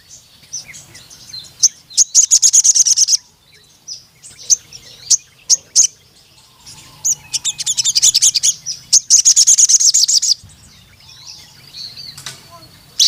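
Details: Sogon, the ruby-cheeked sunbird, in energetic song: scattered thin high ticks broken by two dense bursts of rapid, piercing high trilled notes, with quiet pauses between.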